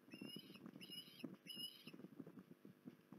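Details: Three rising whistled calls from an osprey at Port Lincoln on 19 January 2021, evenly spaced about a second apart, followed by only low pattering and rumbling background noise.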